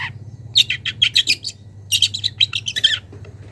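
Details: A young wild long-tailed shrike calls to a rival with choppy clusters of grating, high-pitched notes in two quick bursts. A faint low hum runs underneath.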